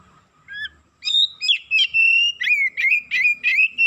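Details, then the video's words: Oriental magpie-robin (kacer) rising into excitement and releasing its isian fill-ins: after soft opening notes, a rapid steady series of loud ringing whistles follows, about three each second. "DENGAN HITUNGAN DETIK KACER NAIK EMOSI BONGKAR ISIAN"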